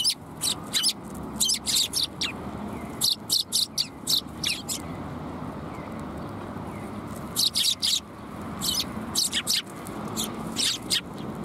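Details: Several sparrows at a Tenmangu shrine, afternoon of 21 January 2022, chirping busily: bursts of short, bright, high tweets in clustered runs, with brief pauses between groups and faint low rumble beneath.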